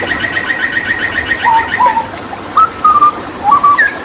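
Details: Cracticus cassicus, a Papuan endemic known for mimicry, singing: a quick stuttering trill of high notes, then several clear fluted whistles, some rising then flattening, with pauses between.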